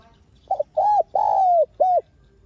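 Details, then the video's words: Spotted dove, used as a lure bird for trapping, calling and urging: one clear phrase of four hooded coos, a short stuttered note, two long arched coos with the middle one drawn out and falling, then a final short coo. "Tiếng Cu Gáy MỒI CHUẨN Giọng Hay Hạp BổI ĐỦ BÀI [GÁY GỌI,THÚC ]"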